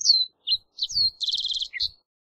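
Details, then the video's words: High, clear song of a Green-tailed towhee: slurred descending whistles, then a rapid buzzy trill of evenly repeated notes and a last sharp downslurred note, with faint low knocks in the background. "Green Tailed Towhee Singing!"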